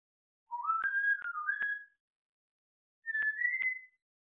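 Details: Pet African grey parrot rehearsing a whistled "Bella ciao": clear, pure whistled phrase of rising and sliding notes, a pause of about a second, then a shorter rising whistle, with faint clicks.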